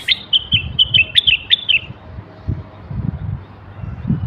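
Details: A Moroccan common bulbul male gives a quick string of about eight clear, whistled notes within two seconds, over low background rumble. The song is used to stimulate males to sing and prepare females for mating.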